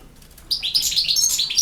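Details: Brief snatch of European goldfinch campero-style song: after a short quiet lead-in, a quick run of bright twittered notes and tinkling trills.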